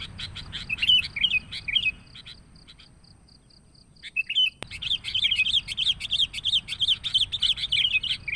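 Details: Sooty-headed bulbul lure song: lively bursts of bubbly, chirping notes, a short pause with faint ticking, then a dense run of rapid warbled phrases that continues to the end.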